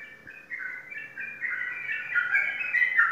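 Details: Sooty-headed bulbul kept for singing contests in Indonesia, giving a rising, warbled whistling phrase of slurred notes that grows louder toward the end, over a low background hum.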